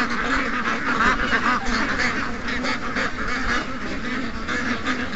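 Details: Over 700 ducks and geese calling in a morning rush, nasal quacks and honks layered thickly and continuously, no single bird standing out from the mass of voices.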